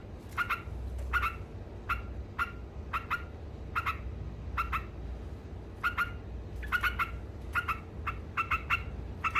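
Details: Yellow-vented bulbul (trucuk) in vigorous ngekek song, meant to provoke rivals: short clipped chattering notes in quick bursts, repeated every half second or so over a low steady hum.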